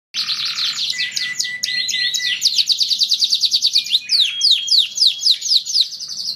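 A canary sings a long, unbroken stream of rapid trills, sweeping chirps and sustained whistled notes, high-pitched and tumbling along without pause. A faint low hum sits underneath.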